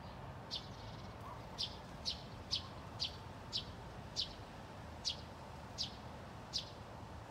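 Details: Two Eurasian tree sparrows calling in bushes in Haga, 24 August 2021: short, dry chirps, about one every half second to second, over a steady low rumble of distant traffic.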